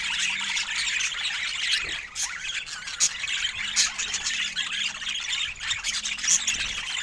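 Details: Budgerigars calling together in a steady, busy chatter of high, grating squawks and thin chirps, with sharper louder squawks standing out now and then over the continuous background of many birds.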